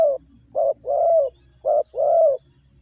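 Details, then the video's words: Decoy spotted dove kept in a cage, calling to lure other doves ('gáy gù'): two phrases of a brief coo followed by a longer, slightly falling coo, steady and clear against a quiet background. "Tiếng chim gáy gù gọi mồi cực chuẩn"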